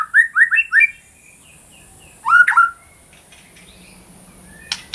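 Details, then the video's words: White-rumped shama in lively song, intended as therapy for shamas that no longer sing. Four quick rising whistles open, then a faint soft series, a louder slurred double phrase, and a brief sharp click at the end. "MASTERAN MURAI BATU GACOR - TERAPI MURAI BATU MACET BUNYI"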